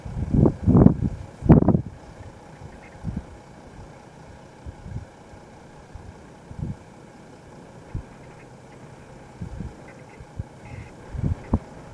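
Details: Low rumbling thumps and wind buffeting with faint background engine noise, and no clear animal calls.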